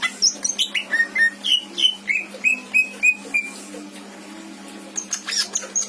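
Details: Captive greater green leafbird from Indramayu, Indonesia, singing a song rich in imitations: a steady string of short whistled notes, gliding lower and evening out, then a brief pause and a burst of high squeaky notes.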